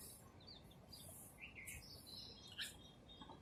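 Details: Sparrows chirping while eating food: a scatter of short, high chirps and slurred notes in overlapping bursts, steady hiss underneath.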